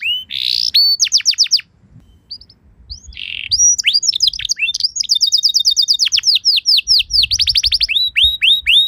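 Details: Canary singing a luxurious pancingan song used to get other canaries to respond: a buzzy rising note and quick trill, a quiet gap, then a buzzy phrase followed by fast rattling trills and repeated rising chirps.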